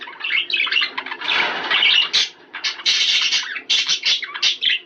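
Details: Budgerigar chatter to encourage mating: a loud, rasping jumble of squawks and chirps, a short softer pause, then renewed fast, buzzy notes in quick clusters.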